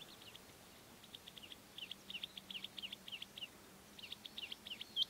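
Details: Bluethroat song: a faint, rapid series of short, repeated, slightly buzzy notes at high pitch, given in quick bursts with brief pauses, ending with a sharp higher note; a low steady hum underneath.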